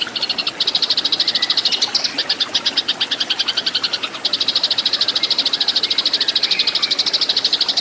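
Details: Eurasian tree sparrow fighting song, a recording made for training cage birds: a loud, fast, rattling chatter of sharp high chirps in a long unbroken run, with a brief pause just past the midpoint before the chatter resumes just as densely.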